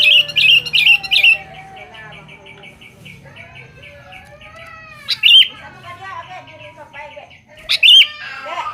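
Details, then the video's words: Sooty-headed bulbul in full voice, calling to females: a rapid burst of bright, chirpy notes repeated four times, then a quieter stretch of thin, wavering whistles, with two more loud, sharp chirp bursts later on. "Suara Burung kutilang gacor memanggil manggil betina"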